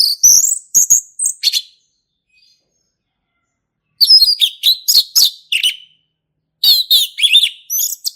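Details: A male orange-headed thrush sings in a forest in the ngeplong style. Three bursts of rich, varied whistled and chattering notes are broken by a pause of over two seconds.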